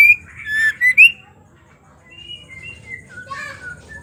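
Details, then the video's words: Female white-rumped shama song meant to provoke males: a loud opening of whistled slurs and a sharp rising note, then quieter scattered whistles and chatter in the second half. "suara murai batu betina gacor ampuh untuk terapi murai stres"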